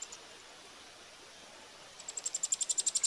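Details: Eurasian wryneck nestlings begging as they are fed, Pribytki, Russia, 2 July 2018: quiet at first, then a sudden, swelling run of sharp high hissing pulses, roughly four each second.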